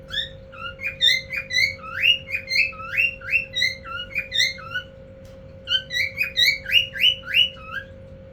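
A male cockatiel calls to a female with quick, bright, slurred whistles in rapid runs.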